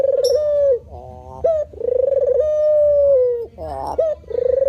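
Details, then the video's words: Low, sustained coos from a white variant spotted dove, each ending in a slight downward slide and linked by short throaty rising notes; a faint high chirp sounds near the start. "suwara burung terkukur putih"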